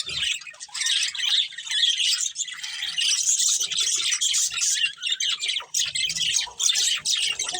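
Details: Budgerigars in a colony with a breeding pair keep up a busy, unbroken warble of sharp high chirps and buzzy notes for over seven seconds.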